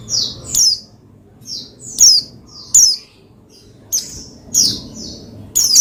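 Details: Shrill, falling chirps of a pleci (Oriental white-eye) played to provoke another pleci to sing, delivered in paired or tripled bursts about once a second with short quiet gaps.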